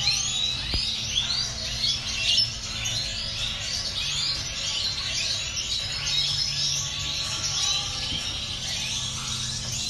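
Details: A dense chorus of many European goldfinches in a large aviary, with liquid tinkling twitters and trills overlapping continuously over a steady low mechanical hum.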